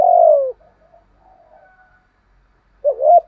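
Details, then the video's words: Spotted dove with a structured pushing coo said to set wary wild doves cooing; one long, low, falling coo, a near-silent pause with faint murmurs, then a short wavering double hoot. "chim cu gáy bài bản thúc gù bổi nhát mấy nghe cung phải gáy theo"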